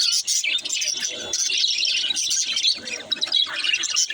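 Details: Young budgerigar song, a steady stream of bright chirps and scratchy twitters, several birds chattering at once.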